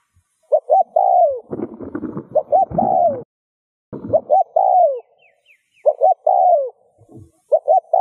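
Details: Spotted dove cooing to get other doves calling; phrases of two clipped notes and a long falling coo repeat, partly overlaid by scraping, rattling handling noise.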